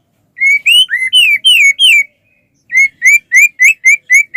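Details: White-rumped shama in full song, used to prompt other shamas to sing: loud clear whistled notes sliding up and down, a burst of six phrases, a pause, then seven quick repeated whistles, with no other sounds.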